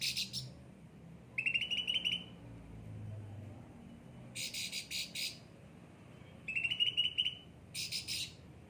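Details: Cucak ranting, a caged bird, in alternating phrases: buzzy level trills and coarse rattling bursts, each under a second, with pauses between.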